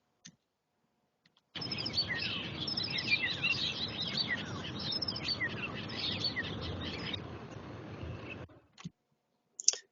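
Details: A Common starling pours out a busy mimicked song, chattering notes and slurred falling whistles copying a golden oriole, over a steady hiss of background noise.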